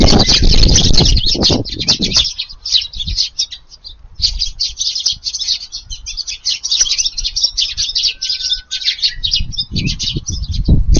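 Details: Evening garden feeding of Eurasian tree sparrows on 18 July in rising wind: a flock keeps up rapid, busy chirping for the whole stretch, with a burst of low wind rumble at the start and again near the end.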